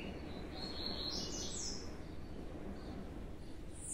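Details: Two young Blue-black Grassquits (tiziu) kept by a breeder after being separated; short buzzy high notes in the first half, one fainter note later, over a low background hiss.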